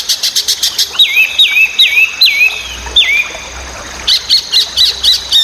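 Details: Chinese hwamei (wambi) in full, noisy song, a master recording for training white-rumped shama, magpie-robin and green leafbird: a rapid stuttering trill, then five sweeping down-slurred whistles, then quick repeated chips.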